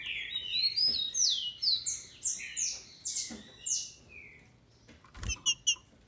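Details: Female green-winged saltator kept by a Brazilian breeder, singing to rouse males: a dense flurry of high, down-slurred whistles overlapping for four seconds, followed by a few sharp clicks and thumps.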